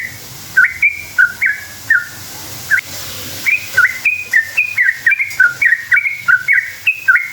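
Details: Sooty-headed bulbul song played to draw other bulbuls into answering: scattered whistled notes at first, building into a dense, rapid chain of bright, slurred, rising-and-falling whistles.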